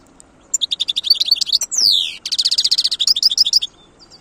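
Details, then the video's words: Loud, close wild European goldfinch song: a rapid chain of bright twittered notes, broken by a drawn-out, descending nasal sweep, then another fast twittering run that ends in a few high chips. "تغريد حسون خلوي"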